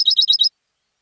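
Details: European goldfinch from singing competitions, raised indoors: four fast, bright, high chirped notes in quick succession, then quiet.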